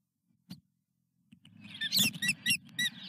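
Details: Osprey at its nest at Dunrovin Ranch on 17 May 2021, around 10:55, during a fish delivery. After a near-silent start with one soft knock, a burst of high, sharp chirping calls repeats in quick succession over a steady low hum.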